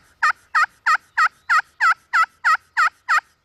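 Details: Wild turkey hen, angry and attacking a hunter's decoy, with nine sharp, even yelping notes at about three per second.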